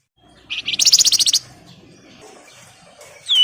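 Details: Javan wergan in full song, calling rivals, played as a lure. A fast, high, buzzy rattle of about ten pulses is followed by a quiet pause, then a sharp rising whistle-like note at the end.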